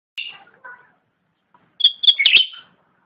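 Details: Cucak rante (Indonesian grassbird) song used as masteran training audio for pet songbirds: a sharp high chirp, soft lower notes, then a rapid cluster of bright, descending chattering notes after a pause.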